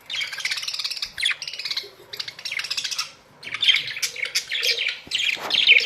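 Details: Budgerigars, Australian parrots kept in a colony, in a continuous stream of high, rattling, warbled chatter that swells and fades, many birds calling at once.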